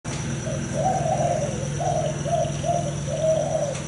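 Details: Male spotted dove of the thai hau 4 cooing style, father of several broods, gives a run of soft, hollow, mid-pitched coos in connected phrases, with a steady high electrical whine and low hum behind.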